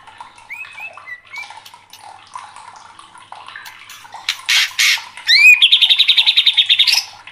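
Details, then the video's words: Emotionally worked-up white-rumped shama: soft whistled slurs at first, then two loud harsh rasps, a sharp rising whistle, and a fast, even rattling trill of about a dozen buzzy notes lasting well over a second. "MURAI LANGSUNG KOAR-KOAR TERSULUT EM0SI | murai batu gacor | shama bird"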